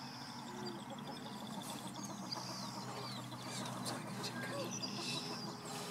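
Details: Greater prairie-chickens (Tympanuchus cupido pinnatus) booming on a lek in central Wisconsin: low, hollow, droning hoots underneath a busy chatter of cackles, clucks and whoops from many birds at once.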